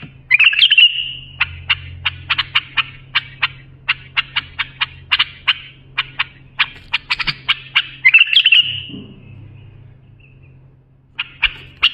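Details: A bulbul song offered to teach young bulbuls: a rolling trill, then a fast, steady series of clipped high notes for several seconds, another trill, a pause, and a few more notes, with a low constant hum behind.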